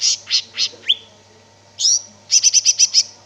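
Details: Lively gacor song of the greater green leafbird: three broad buzzy notes, a rising whistle, a sweeping call, then a quick even string of six high chips.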